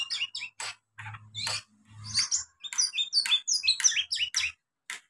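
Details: Oriental magpie-robin (Copsychus saularis), juvenile song: young bird starting to practise its song.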